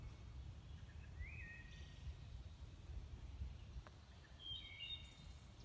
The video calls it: Hermit Thrush birdsong